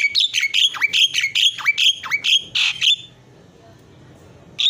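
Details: Javan myna in energetic isian song, used as a tutoring recording: a quick series of repeated chirps that each dip downward, ending in a rasping burst before a sudden silence.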